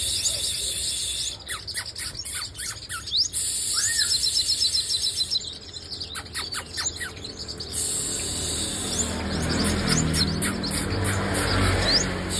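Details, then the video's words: Song of a female sunbird: scattered high rising chirps and sharp ticks in busy clusters, with a short arched lower whistle, followed by quieter trills over background hiss. "Hút mật 5 màu mái Vip , nghe là hót."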